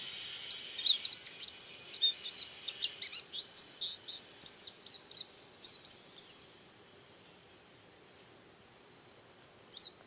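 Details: Active yellow-and-white white-eye (pleci kacamata) sings a fast run of very high, thin chirps and twitters for about six seconds, then falls quiet before one last note, with soft hiss under the start.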